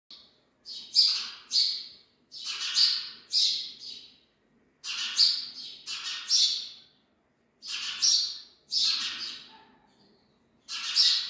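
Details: Three newborn sparrow chicks give harsh, high, raspy calls in quick runs of two or three, about nine bursts over eleven seconds, with short silences between runs and no other sounds.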